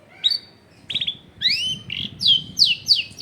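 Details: Long-tailed shrike song meant to lure lazy shrikes into singing, recorded at a house in a busy residential area: varied sweeping whistles, some rising, some falling, separated by short pauses, with faint low background noise.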